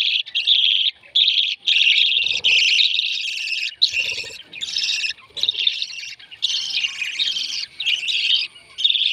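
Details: Feeding of baby lovebirds, with insistent harsh, buzzy begging calls in rapid bursts, some long and continuous, mixed with soft rustling and light handling noises.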